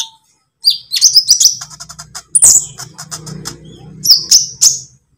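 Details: Konin lovebird, green or pied variety, singing a training lure for kept songbirds. Continuous shrill twittering and rapid high chirps run over a low steady hum.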